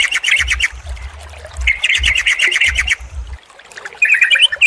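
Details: Trucukan bird chatter used as a lure to get a stressed, silent trucuk singing again: bursts of rapid bubbly notes repeated many times a second, pausing between bursts, with low thumping noises underneath.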